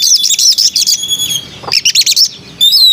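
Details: {'caption': 'White-rumped shama singing melodiously: loud rapid bursts of high chirped and trilled notes around 4–6k, with clear sustained whistles, a pause, then further chattering phrases and a closing descending whistle.'}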